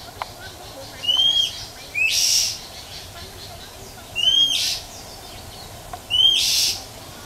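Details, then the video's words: A female Oriental magpie-robin calls in the wild to stimulate males with whistles and chẹp notes. Three clear rising whistles each lead straight into a rough, raspy burst, spaced a few seconds apart, with a few faint clicks. "Chòe than mái rừng ngoài thiên nhiên huýt chẹp kích trống"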